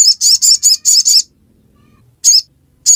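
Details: Ruby-cheeked sunbird, ngiriwek song: six piercing high chirps in quick succession, a silence of about a second, then two isolated notes.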